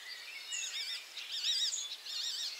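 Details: Icterine warbler singing after moving to a new perch and catching a caterpillar: a high, rapid medley of wavering, trilled and whistled phrases, some slurred notes, delivered almost without pause, with quiet rural background.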